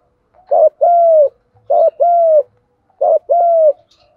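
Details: Spotted dove cooing in the 'giọng đồng' style for training captured and decoy birds: three clean phrases about 1.3 seconds apart, each a short clipped note followed by a longer smooth arched coo.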